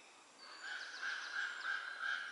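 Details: Four hungry common raven nestlings, about three weeks old, in the nest near Göttingen in April: harsh, nasal begging calls repeated in quick overlapping bursts, with faint higher chirps above.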